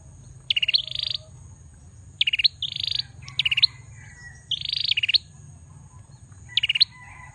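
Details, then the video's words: A bar-winged prinia repeats a high phrase every one to two seconds: a rapid stutter of sharp ticks, then a buzzy, wheezing trill, with an otherwise quiet background. "Prenjak Belukar Gacor"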